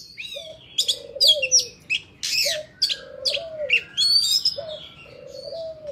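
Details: Oriental magpie-robin singing its wild forest song, used for training young birds: high, varied chirps and whistled slurs, while a lower, steady cooing note recurs about every two seconds underneath.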